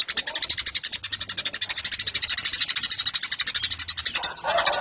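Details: Eurasian tree sparrow giving a long, nonstop chatter: a rapid train of dry, high, buzzy pulses repeating several times a second, with a brief break and a harsher burst near the end.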